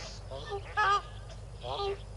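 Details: Yellow-billed duck with six ducklings at Tau Waterhole, 12 February 2022, 4 PM, on a livecam: three short harmonic nasal calls, the middle one loudest, with faint thin higher notes between them and a low steady background rumble.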